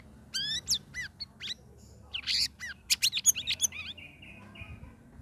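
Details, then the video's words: Ngeriwik ngeplong singing from a caged sooty-headed bulbul after three weeks of aviary care: quick rising and falling whistled chirps in clusters, a dense chattering burst, then thin steady high tones fading out. "CUCAK RAWIS NGERIWIK NGEPLONG"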